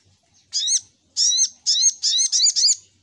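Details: Spiderhunter (sogok ontong) lure call: five loud, piercing, high-pitched chirps, each a short rich note with a lower tone underneath, the last three coming in quick succession about every quarter second, on a quiet background.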